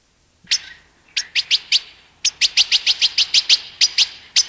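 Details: European goldfinch singing: after a brief pause, bright, high, clipped notes come in quick irregular bursts, then settle into a lively run of sharp chirps, with a quiet background.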